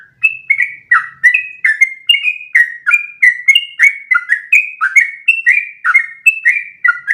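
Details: Yellow-vented bulbul in full long-breath song, recorded to teach other birds; steady stream of clear, bubbling whistled notes, each sliding up or down, packed closely together.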